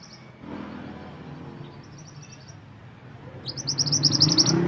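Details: Mantenan gunung singing: a fast, high, rattling trill of short bright notes near the end, after faint thin notes, with low rumbling vehicle noise throughout.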